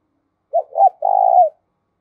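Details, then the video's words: Spotted dove calling as a decoy to provoke other doves to coo: one clear phrase of a short soft note, a slightly higher bent note, then a long steady throaty coo fading down at the end. "tiếng chim cu gáy Mồi thúc và gáy gọi"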